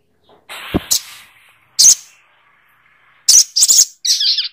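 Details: Sogok ontong bird: a few loud, sharp high calls with short buzzy tails, followed by a quick double note and a thin trilled phrase.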